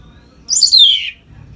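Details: Single sweeping phrase from a captive orange-headed thrush, sung to stimulate other birds: a high, bright slur gliding steadily downward over about half a second.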